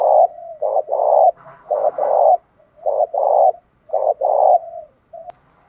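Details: Spotted dove lure bird calling in the 'đồng pha' voice style, 'thúc bổi' urging calls: three low cooing phrases, each a short coo or two followed by a longer, throbbing, steady coo, with quiet pauses between them.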